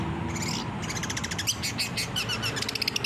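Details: Rapid chattering song of a long-tailed shrike, used to train captive birds to reply: dense rattling trills and scratchy notes with a few whistled slurs, over a busy low-frequency background.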